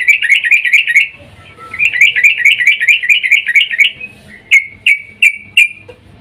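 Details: Female yellow-vented bulbul in breeding mood calls the male, used as a lure: two runs of fast, bubbly chatter, then four spaced sharp single notes.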